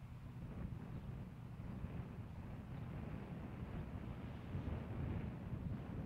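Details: Only low rumbling wind and a water or vehicle drone are heard, with no calls from any animal.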